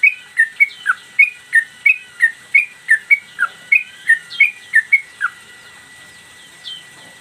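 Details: A tail-flicking caged sooty-headed bulbul sings one song for use as a training master: a rapid string of bright whistled notes, rising and falling in turn, that stops halfway through and leaves quiet.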